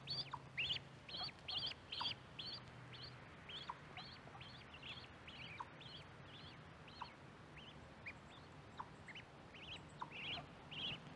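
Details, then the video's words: Baby mallard ducks near a microphone set by corn: thin, high, upslurred peeps repeated roughly twice a second, sometimes in quick pairs, over a soft background hiss and low hum. "Duck sounds, Mallard duck calls, baby duck calls"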